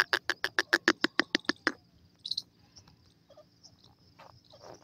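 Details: Francolin (teetar) delivering a fast, loud series of about twelve rasping, evenly spaced notes over nearly two seconds, then quieter scattered chirps and faint noises.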